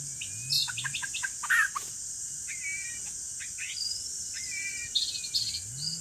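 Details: Forest white-rumped shama recorded while being lured for trapping: bursts of quick, varied whistles and short sliding notes with pauses between phrases, set against a constant shrill insect chorus.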